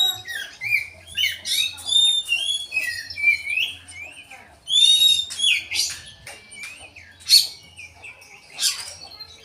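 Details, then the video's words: Magpie-robin in full song with tail spread, mixing in bulbul imitation: bright, high whistled slurs and quick chattering notes in irregular bursts, with occasional sharp accents and short gaps between phrases. "Koci gacor buka ekor isian cucak jenggot"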